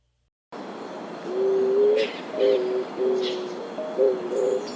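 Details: Eared Dove, a very common bird in urban areas, met while birding on Cerro El Volador, a natural park in Medellín; low, hollow coos held steady and repeated in a short series, with faint higher chirps of other birds.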